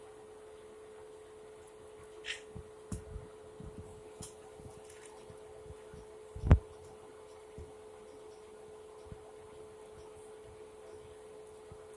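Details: A steady fan-like hum fills a quiet room, broken only by a few soft knocks and thumps. No animal voice can be picked out.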